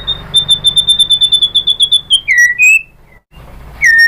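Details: Provoking song of a white-rumped shama to draw other shamas into singing: a rapid, even series of high piping notes, then a few lower slurred whistles separated by a short pause.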